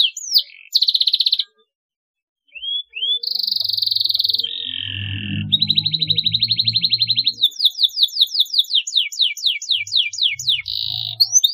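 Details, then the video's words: Canary song to make young canaries chirp: buzzy trills, rising whistles, a lower rolling tour and a long series of sharp descending sweeps, with a brief gap and low humming noise in places. "CUITAN KENARI TERBUKTI AMPUH BIKIN KENARI PAUD RAJIN NGERIWIK | PANCINGAN KENARI PAUD"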